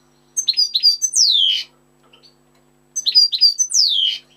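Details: European goldfinch song, recorded 25 October 2013: two matching phrases about two and a half seconds apart, each of quick liquid twitters followed by a long, falling, slightly buzzy slur, over a faint steady hum.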